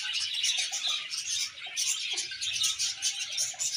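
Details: Happy colony of budgerigars: unbroken bright, high twittering and chirruping from many birds at once, steady in loudness throughout.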